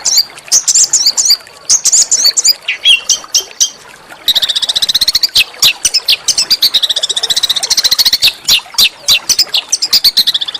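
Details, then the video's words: Small songbird master song for magpie-robin and shama training: scattered high chips and slurred phrases give way after four seconds to a long, rapid, rattling trill of high notes. "masteran burung kecil agar murai batu gacor"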